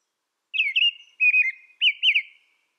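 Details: Singing American robin giving three slurred whistled phrases, the final one with a rolling, looping quality, in a quiet setting.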